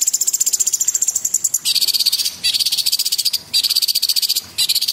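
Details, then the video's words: Gacor cucak cungkok pouring out harsh, fast rattling phrases, first higher then dropping to a lower buzzy trill, with short gaps between the bursts. "CUCAK CUNGKOK ISTIMEWA GACOR"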